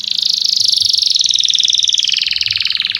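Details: Canary song meant to stimulate young canaries to learn: a continuous, dense, shimmering roll of very fast pulses, high and bright, gently falling in pitch toward the end.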